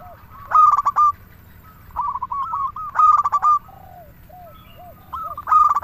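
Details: Zebra dove of a local type singing as a lure: repeated bursts of quick, stuttering coos every two to three seconds, with softer, lower coos between the phrases.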